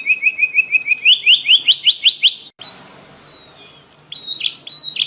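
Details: Javan munia singing in imitation of a prinia: a quick even trill of repeated chirps, about two and a half per second, climbing higher, then a long drawn descending whistle and a few sharp notes.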